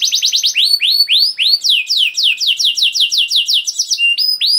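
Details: Canary singing a long gacor song, used as a lure to prompt other canaries to sing: fast tours of repeated upward-curving whistled notes, about two per second, then quicker trills and high thin notes near the end.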